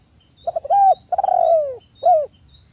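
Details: Spotted dove calling in a recording meant to get reluctant doves singing within a minute. Two clipped notes open, then a warm steady coo, a long descending trill-edged coo, and a brief drooping final note. Quiet background with faint crickets.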